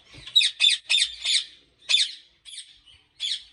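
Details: Captive ringneck parrots at a large breeding farm in Pakistan: four quick, shrill, scratchy squawks in a row, then a pause and a few more harsh notes, spaced unevenly.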